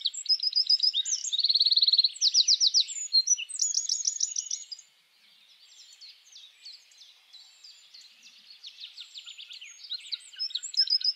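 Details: Eurasian wren (Troglodytes troglodytes) singing its mating song in a wild spring forest: loud, high, rapid trills and sharp twittering phrases for several seconds, followed by quieter, more distant song bursts of fast repeated notes.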